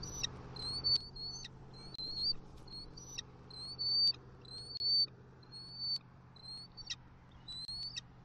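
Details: A bald eagle calls at a Southwest Florida nest, 28 October 2023, as the male delivers fish gifts and the female mantles over her fish. High, thin rising whistles repeat about once a second, each ending in a sharp click.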